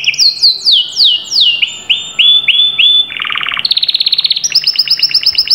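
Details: Domestic canary song: loud, clear downslurred whistles repeated in a series, then a shift to buzzy rapid trills that jump up in pitch in steps, each section a fast run of identical notes.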